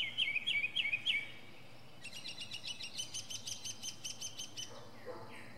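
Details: A northern mockingbird sings from a pine top, showing off its range of sounds. A quick run of bright chirps leads into a rapid, rattling string of repeated notes, ending in a few softer slurred notes.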